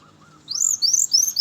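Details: Brown-chested jungle flycatcher singing in the morning as a lure for its kind: faint low whistles followed by rapid high, rising-and-falling slurred notes.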